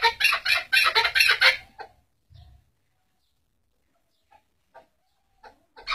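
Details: Chukar partridge giving a fast burst of loud, harsh, chattering chuck notes, about eight in under two seconds, then near silence with a few faint scattered clicks.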